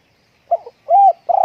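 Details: Spotted dove kept at home during strong wind: a short broken coo, then a longer, smooth, slightly arched hoot and a final wavering coo, with no background noise.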